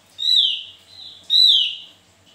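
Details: Javan white-eye giving two loud, bright whistled phrases about one second apart, each a sharp note that sweeps downward, with a softer steady whistle between them.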